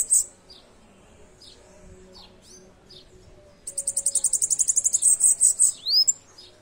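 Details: Bananaquit song: scattered thin high chirps, then a two-second run of rapid, buzzy, very high repeated notes ending in a sharp downward-swept note, against quiet background hum.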